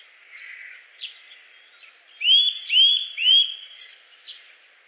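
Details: Eurasian nuthatch giving three loud, rising, whistled notes in quick succession, with faint chirps and soft background noise before them.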